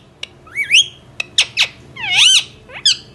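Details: Indoor Indian ringneck parrot producing short clicks, sharp downward-swept chirps and a longer arching, harmonic squawk, irregularly spaced, over a low background hum.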